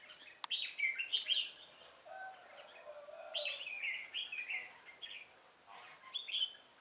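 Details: Red-whiskered bulbul used as a lure bird for trapping, recorded 1 November 2017: bright warbled phrases of quick rising and falling whistled notes, delivered in bursts with short pauses between them.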